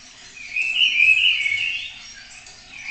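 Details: A single drawn-out, wavering whistle from a spotless starling, sung at a webcam in Cabañeros National Park, swelling and fading over about a second and a half.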